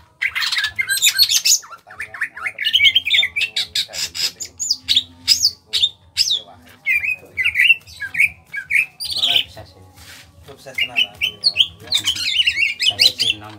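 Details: Small-bodied greater green leafbird from Kalimantan singing in a lively, rattling style: a dense run of varied chattering, squawky and whistled notes, some sharp rising and falling slurs, with a steady low hum throughout.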